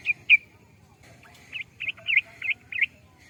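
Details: Sooty-headed bulbul giving two sharp chirps, then a quick run of rich, bubbling, slurred notes in a lively phrase, clear against a quiet background with a faint low hum.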